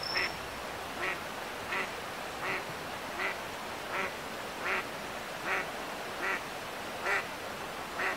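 An Eastern spot-billed duck gives a steady run of about eleven short, harsh quacks, roughly one every three-quarters of a second. A brief thin whistle is heard at the start.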